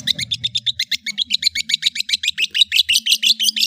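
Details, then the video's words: Cendet, the long-tailed shrike, in ocehan song: a rapid, regular chatter of high, clipped notes, about five or six per second, continuing steadily, over a low background hum. "CENDET MEWAH ANDALAN Kicau Ocehan"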